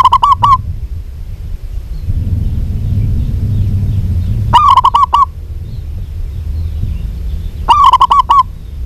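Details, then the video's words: Zebra dove of local stock, described as singing freely and possibly a female calling a male: a cut-off phrase opens, then two full rolling coo phrases follow about three seconds apart, loud and clipped, over low hum. "PERKUTUT LOKAL GACOR BIKIN EMOSI SEMUA JENIS PERKUTUT"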